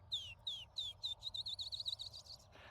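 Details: Field sparrow (Spizella pusilla) song on an early summer morning in grassy open habitat: a few sweet, slurred whistles speeding into a quick trill like a bouncing ping-pong ball, over a faint low rumble.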